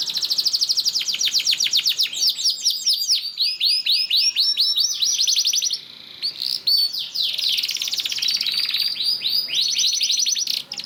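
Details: Singing canary, a lure recording meant to make other canaries start singing: long continuous song of rapid high trills, clear whistled arched notes, and buzzy rolls running with hardly a break.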